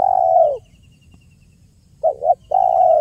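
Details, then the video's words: Spotted dove giving the clear "kuk 1" style coo, used as a lure for trapping and for prompting other doves: a long, mellow, low coo, a pause, then a short doubled coo and another drawn-out note. "SUARA JERNIH BURUNG TEKUKUR KUK 1 GACOR PALING AMPUH UNTUK PIKAT DAN PANCINGAN"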